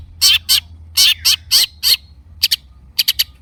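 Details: Long-tailed shrike song used to provoke silent birds into singing, made of loud raspy grating bursts in pairs, followed by short sharp ticks in quick clusters.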